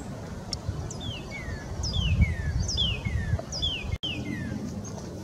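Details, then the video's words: Northern cardinal in Sapsucker Woods, Ithaca, New York, USA, recorded 20 February 2022, repeating loud downslurred whistles in quick two-part phrases, a high slur then a lower one, about five times, over low rumbling background noise. "Red cardinal's song (cardinale rosso in canto)"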